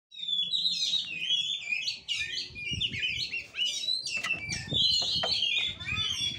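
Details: Oriental magpie-robin singing in fighting play style, the Kura-kura style favoured by songbird keepers: a dense run of varied whistles, chips and trills, high and fast, over a faint low rumble.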